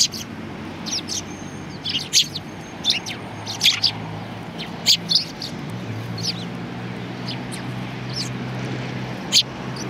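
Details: Sparrows chirping at a Tenmangu shrine, Japan, in February 2020: sharp single notes roughly every second over a low steady hum.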